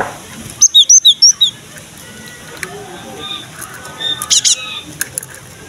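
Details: Gelatik batu (cinereous tit) singing energetically, used as a lure for its own kind: an opening series of six sharp whistles alternating high and lower pitch, followed by softer chatter and a few faint high notes.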